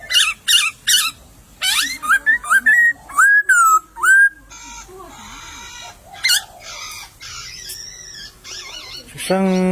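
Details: Wild laughingthrush in bamboo scrub gives loud, clipped whistles and sweeping upslurred notes for about four seconds, then softer scattered calls, with a harsh rattling burst at the end.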